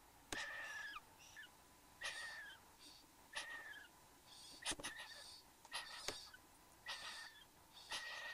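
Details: Satin bowerbird pair in the bower, Australia, 15 November 2014 morning: wheezy calls with down-slurred whistled endings alternate with sharp clicks and crackling rasps at an irregular pace.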